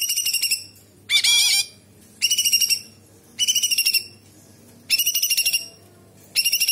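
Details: Actively singing cucak cungkok bulbul, kapas tembak fill with sharp tembakan: five shrill high bursts about a second apart, each a fast trilled or buzzy phrase, one harsher and denser, separated by near silence over a faint low hum.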